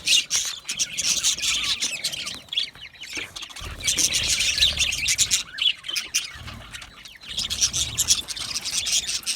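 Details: Several budgerigars give a steady stream of high, scratchy chirps and warbles, the chatter pausing briefly near the middle before resuming, with faint low background rumble.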